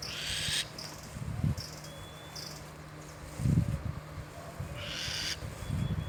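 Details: Owl calling in a cemetery: two long, harsh, hissing screeches of about half a second each, one at the start and one near the end, with shorter faint bursts between them, over low rumbling thumps and a steady hum.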